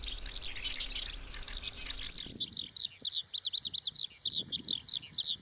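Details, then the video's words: Eurasian skylark song: after two seconds of rough background noise, a high, chirruping stream of quick twittering notes and trills pours out almost without pause. "Eurasian skylark song"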